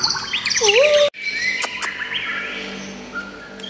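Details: White-rumped shama giving a smooth looping whistle followed by higher sliding notes. A sharp break follows, then fainter whistles and a long steady tone over soft background noise.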